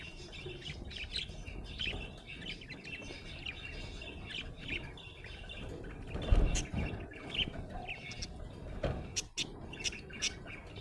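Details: Happy budgerigar chirping: scattered short warbling and chirping notes, sharp clicks and squeaks over a steady low background hum.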